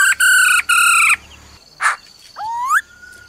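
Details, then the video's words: The 'ro ro' call of a female laughingthrush urging on a male. A held, reedy note broken once opens, then a harsh burst, then an upswept whistle ending in a thin level tone. "Khướu mái ro ro kích trống nhanh căng lửa"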